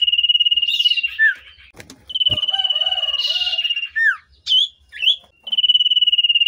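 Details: Common iora (sirtu cipoh) in breeding season, worked up on meeting a female, used as a lure for other birds: long rapid pulsed whistles interrupted by short downslurred and upslurred notes, a brief burst of harsh noise, then trilling again.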